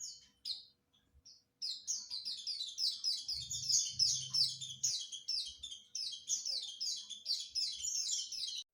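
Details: White-eye chattering ngriwik-style for training: a few separate high squeaks, then a long steady string of rapid, thin, high twittering notes, about three per second, with a brief low hum.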